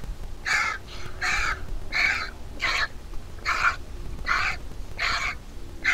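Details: Nestling vulture, fed by its mother in the nest, gives eight grating, nasal squawks, roughly one per second, each short and buzzy, against faint low-pitched background noise.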